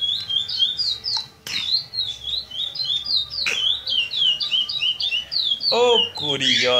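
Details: Young chestnut-bellied seed finch, eight months old, rehearsing the notes of the classic praia grande song style for tournaments. It repeats quick, clear downslurred whistles over clicks, with a man's voice and music near the end.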